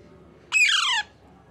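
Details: Baby Alexandrine parakeet (Psittacula eupatria) in a cardboard box gives a single harsh, raspy squawk lasting about half a second, sliding downward in pitch, in a quiet room.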